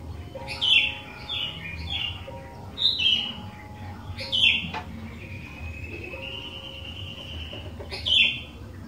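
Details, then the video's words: Sooty-headed bulbul singing to provoke other bulbuls into song: a series of short, bright, bubbly phrases at irregular intervals over a steady background hum, with a long thin whistled tone partway through. "Kicauan Kutilang Gacor DOOR, Jagonya Buat PANCINGAN"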